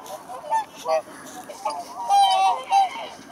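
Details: Whooper swans at Kalmarsundsparken, Kalmar, Sweden give loud, bugling honks, several calls overlapping in short bursts.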